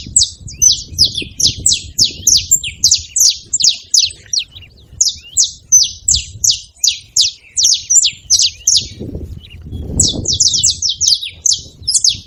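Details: Flock of free saffron finches at a seed feeder, a long steady run of high, sharp chirps at about three per second, briefly pausing midway, with low rumbling noise underneath.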